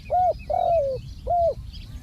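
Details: Spotted dove used as a ground decoy in Thai dove trapping: three hoarse, arched coos, the middle one longer and falling, delivered in quick succession over a low rumbling background.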